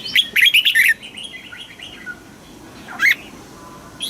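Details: Red-whiskered bulbul, a caged songbird, performing a southern master-style song meant to rouse other birds. A fast, bright warbled phrase opens the recording, followed by quiet thin notes and one short rising whistle near three seconds.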